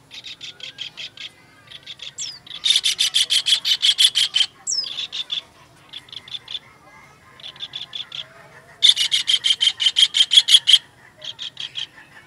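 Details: Kingfisher as a training master for songbirds, giving long runs of dry, clicking chatter. Quieter short series alternate with loud, dense bursts, and two sharply falling whistled slurs sit among them.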